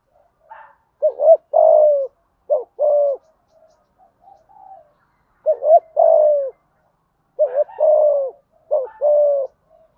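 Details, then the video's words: Spotted dove with deep 'thúc gù' cooing: three groups of low hoots, each a few short notes ending in a longer coo, with faint soft murmurs between groups. "Tiếng cu gáy thúc gù giọng thổ hay"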